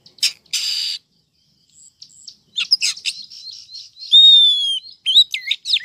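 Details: Female Oriental magpie-robin calling to rouse males and lure wild birds toward a trap. Opens with harsh raspy bursts, then a loud, clean rising-then-level whistle and quick twisting high chirps. Quiet gaps between the notes.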